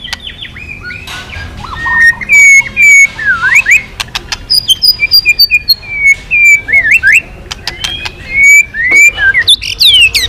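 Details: White-rumped shama, once silent and now singing busily again, delivers a varied run of clear whistled phrases, slurred up and down, mixed with sharp clicks and short high notes, almost nonstop for ten seconds.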